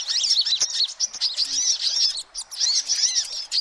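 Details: Sunbird lure calls: bursts of shrill high twittering and quick squeaky notes, broken by a brief pause midway, then resuming just as busily.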